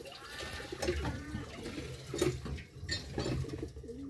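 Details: Pigeon chicks indoors, low soft cooing notes in short rounded bursts repeated about every second, with shuffling and clattering noises in a small room.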